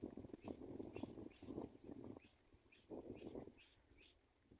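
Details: A Black-winged kite chick, abandoned by its mother, gives thin, very high squeaks, several per second, over low thumps and rustling handling noise.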